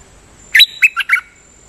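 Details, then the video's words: Dok Taeng bird used as a decoy singer in the lak-boen style. Four loud, close, slurred whistled notes in quick succession, the first rising sharply, the others dropping, over a quiet background. "เสียงต่อนกดอกแตงEp.205 จ้าวขุนศึกนานๆพาออกที ลักเบิ้ลเรื่อยๆ"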